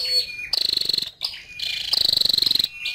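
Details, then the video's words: Calls of a female scarlet-backed flowerpecker: short high buzzy trills of rapid pulses, the second one longer, linked by thin level whistles and a quick rising note. "Tiếng chim sâu đầu đỏ mái"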